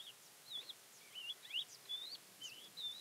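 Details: Wild Thekla's lark near Castro Verde, Alentejo, Portugal, on 12 April 2017, singing soft, clear whistled notes that slide up and down, spaced about every half second, faint against a quiet background hiss.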